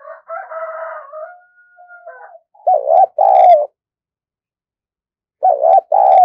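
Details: Spotted dove used as a decoy. A higher, harmonic buzzy sound opens the recording, then come two loud two-part coos, each a quick wavering note leading into a longer, slightly falling one.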